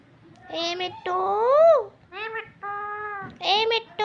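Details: Green parrot talking nonstop, mimicking human speech: a run of tonal, voice-like syllables with gliding, rising and falling pitch, delivered in short bursts separated by brief pauses.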